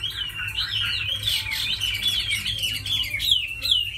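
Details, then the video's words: Chinese hwamei, tamed and said to fight well and sing beautifully, pouring out continuous bright whistles with wavering, rolling phrases and rapid note changes, a low hum underneath. "Mi thuần đấu tốt hót hay"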